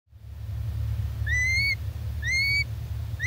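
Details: Little owl chicks, three days old, calling out for their mother, filmed in June 2024; thin rising cheeps with bright overtones, three in a row about one second apart, over a steady low hum.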